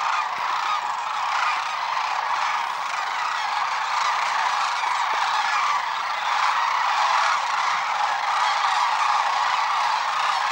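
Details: Large gathering of migrating sandhill cranes beside the Platte River near Gibbon, Nebraska, in early March 2016, heard as a constant wall of overlapping rattling, bugling calls that swells slightly now and then, with no pauses.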